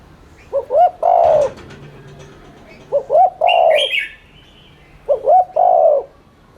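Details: Spotted dove cooing, used as a lure to stimulate cooing: three-part phrases of two short rising coos and a long falling coo, repeated about every two seconds, with brief higher chirps from another bird.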